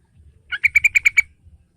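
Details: Sooty-headed bulbul song meant to lure a young bird into singing: one short run of seven sharp, bright notes rising then level, delivered in under a second over low rustling.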